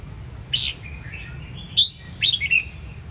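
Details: Red-whiskered bulbul from Sông Kon, Đông Giang in Quảng Nam, Vietnam, giving a few sharp rising whistled notes followed by softer trailing warbles, three brief phrases with a faint low hum behind.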